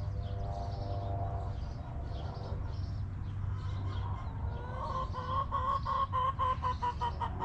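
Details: Chickens clucking in their backyard coop: a quieter first half of soft murmurs, then a quick, even string of sharp, nasal clucks, roughly four a second, with a low hum throughout.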